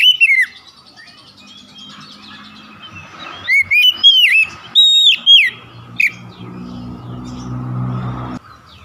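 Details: Oriental magpie-robin song used as a lure to prompt other magpie-robins to sing: a short opening note, then loud slurred whistles and sharp chirps clustered in the middle, with a steady low hum underneath.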